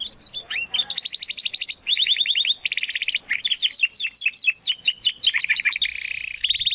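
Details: Spanish Timbrado canary of the Classico style, a young bird seeking its full song: continuous rolling trills alternating with repeated falling notes, closing in a dense high warble.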